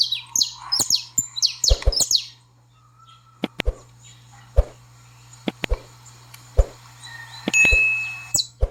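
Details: Saffron finch, called canário-da-terra, in a 'baderna' song used to train a pet bird: an opening burst of sharp, high, down-slurred chips, followed by scattered knocks and clicks, one short thin whistle, and steady low hum.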